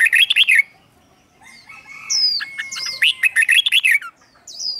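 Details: Caged red-whiskered bulbul singing doubled phrases, slow and clear, for chicks to copy: a burst of rapid warbled notes, a quiet gap, then another chattering phrase over thin high whistles from other birds in the background.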